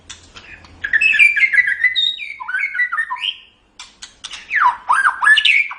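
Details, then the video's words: Cage-bird training recording of white-rumped shama song, full of varied whistles: falling and rising slurred phrases, buzzy chatter and a short gap, then sweeping high notes at a fast, irregular pace. "Suara Burung Murai Batu"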